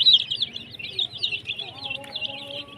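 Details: Group of colourful chicks giving rapid, high, slightly downslurred peeps in a tight continuous stream, with a soft lower whine appearing partway through.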